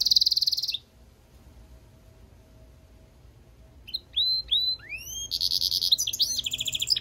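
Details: Goldfinch-canary hybrid: a short buzzy note, a long silence, then a series of upward-hooked whistles rising in pitch before a loud, fast buzzy trill.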